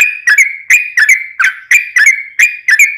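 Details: Lively yellow-vented bulbul song, long and rolling, meant to draw out singing in other bulbuls: sharp liquid whistles repeated roughly every third of a second, bright and steady.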